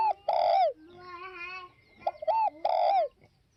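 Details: Spotted dove giving a long, mellow descending coo, then a clipped two-note phrase and another drawn-out falling coo. A steady, harmonically rich call from another bird sounds between them.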